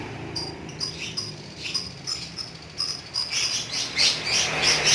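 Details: Lovebird kept as a pet, singing ngekek style: sparse sharp high chirps at first, then thickening into a rapid, rising run of shrill trilled notes toward the end, with a low background hum.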